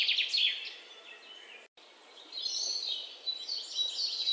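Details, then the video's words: Birds chirping outdoors: high, thin twitters and short whistled notes, louder at the start, then a brief pause, then a busier stretch of overlapping trills against soft background noise. "bird chirping sound"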